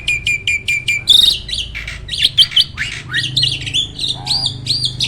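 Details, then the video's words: Jalak starling, a caged songbird with roll, tembak and speed styles: five evenly spaced clipped notes, then a busy jumble of whistles, squeaks and warbled phrases. "Burung jalak isian ISTIMEWAH!! selalu JUARA || Gacornya bukan main."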